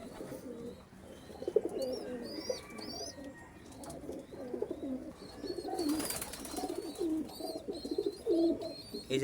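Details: Several domestic loft pigeons, reportedly all males, coo together in low, rolling, throaty overlapping phrases; two males fight over sharing chicks, with small birds chirping high above and a man talking.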